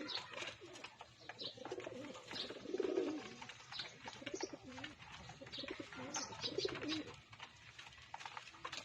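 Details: Pigeons at feeding time giving low, throaty, rolling coos, two clear bursts about four seconds apart, over constant pecking clicks and wing flutters.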